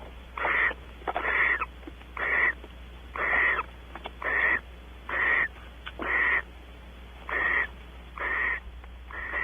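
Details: Mating pair of barn owls on a porch at Audubon Starr Ranch, California; harsh, drawn-out hissing screeches come in an even series, each lasting about half a second, roughly one per second, over faint background hum.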